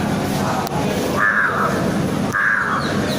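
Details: Wild city crow calling two loud, harsh, drawn-out caws about a second apart against steady low urban background noise.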